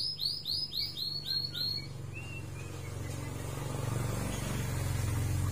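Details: White-rumped shama recovering its form after moulting, sunned outdoors: two seconds of quick, high rising whistles about four per second and a short descending note, then a swelling low engine rumble takes over.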